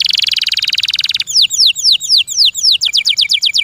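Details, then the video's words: Kept canary in loud song, opening with a dense buzzing trill, then switching to repeated clear down-slurred whistles about four per second, ending in a quicker run of sweeping notes. "O LORD, THE SOUND OF THE CANARY BIRDS Can Make Your Heart So Happy"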